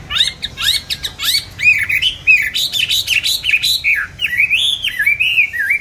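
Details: Loud, steady singing from a caged songbird bought 19 May 2020: rapid sweeping whistles and upslurred notes run together in a continuous, rich warble.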